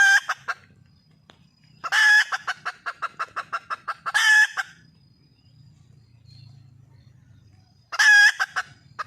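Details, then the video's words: Wild red junglefowl hen calling for a mate: a loud harsh rising squawk followed by a run of about ten short evenly spaced clucks, repeated in bursts with pauses between, faint low hum underneath. "le bruit d'une poule sauvage,เสียงไก่ป่าร้องหาถู่หาตัวผู้,ສຽງໄກ່ປ່າຮ້ອງຫາຄູ່ຮັກ, poj qaib qus see"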